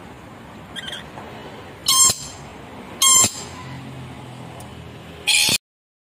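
Red lory giving three harsh, grating shrieks, each a quarter-second burst, spaced about a second or two apart over a low background hiss.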